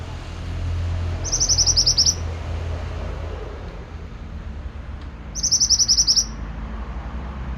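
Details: Pied bushchat in lively song: two short bursts of quick, high, sharp notes about four seconds apart, with steady low traffic rumble throughout.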